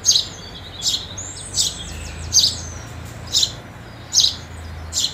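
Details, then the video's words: House sparrow at food gives short, bright chirps repeated about every three-quarters of a second, over a faint low hum; recorded around New Year 2022. "House Sparrow Sound"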